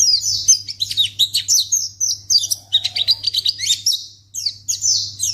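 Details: Lure recording of a white-eye meant to draw an immediate response from other white-eyes: dense, high twittering with fast downward-sliding chirps, pausing briefly near the end, with a constant low electrical hum beneath.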